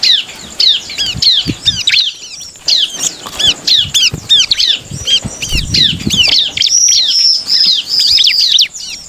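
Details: Bar-winged prinia singing to draw rivals into answering: a rapid, continuous stream of high, downward-slurred chirps, loud and steady, with the bursts coming in close succession over several seconds.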